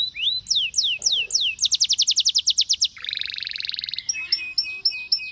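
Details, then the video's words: Singing canary: slow swooping whistles, then a rapid series of sharp repeated notes, a dense buzzy trill, and finally spaced clipped chirps. "Canary Singing Bird Sounds"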